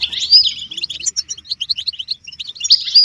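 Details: European goldfinch chorus meant to get caged males singing; bright twittering notes and a liquid trill at the start and again at the end, scattered chirps between.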